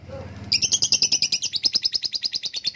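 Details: Lovebird giving a long ngekek trill: after half a second of quiet, rapid high chattering pulses at about eight per second run on steadily, bright and rasping, to the end.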